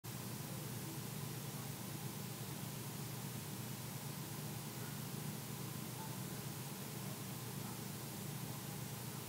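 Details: Only a constant hiss of broadband static fills the recording, with no animal sound.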